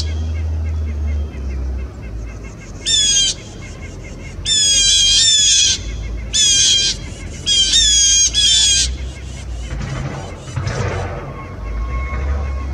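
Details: Blue Jays mobbing an Eastern Screech Owl on 3 January 2018, their third harassment in 20 minutes. They give harsh, nasal jeer calls in four rapid bursts over a low steady hum and faint rustling.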